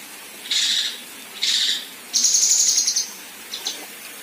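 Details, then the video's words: Female kinoi giving rough tembakan kasar shots, a tutor recording for contest birds: two harsh buzzy bursts a second apart, then a high rapid trill lasting almost a second, ending with a brief chip. "Besetan Dan Tembakan Kasar Kinoi Betina"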